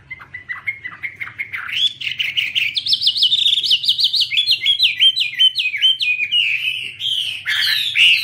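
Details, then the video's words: Chinese hwamei (Garrulax canorus), flapping its wings while singing, gives a loud, varied run of clear whistles, climbing from rising slurs into rapid repeated high notes, with a faint low hum beneath. "Birds Garrulax canorus:Birds Waving wings and singing, The sound of birds singing wonderful"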